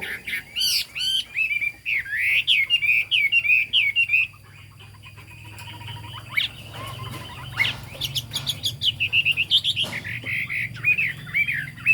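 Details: Chinese hwamei singing 'cao cầu': rapid bursts of varied whistles and chattering notes, a brief quieter pause in the middle, then renewed fast, repeated whistled phrases.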